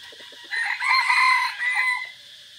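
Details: On a forest trip on 3 April 2024 a decoy red junglefowl gives a full crow: a quick opening note, a long wavering middle and a falling tail, over continuous high hiss.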